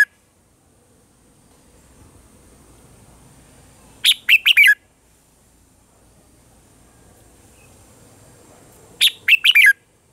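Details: A red-whiskered bulbul gives its morning song in the mature wild-forest style, a recording for voice training of caged birds: two short bursts of four or five quick, liquid whistled notes, about five seconds apart, over quiet background.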